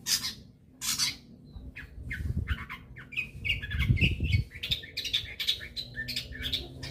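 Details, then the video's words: Long-tailed shrike song played to get other shrikes singing actively: loud harsh scratchy bursts, then a fast chattering run of varied squeaky and whistled notes, with a low rumbling hum underneath. "pancingan cendet agar gacor"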